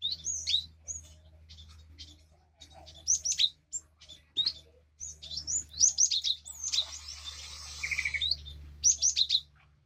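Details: High whistled phrases of a Cinereous tit, used as therapy for a caged bird that will not sing: repeated downward-slurring notes in rapid clusters, with a brief rustling noise partway through and a steady low hum.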